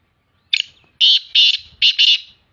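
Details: Female black francolin calling in the morning, described as in a happy mood: a short harsh opening note, then four loud, grating, buzzy notes in two quick pairs, all within about two seconds, with little background noise.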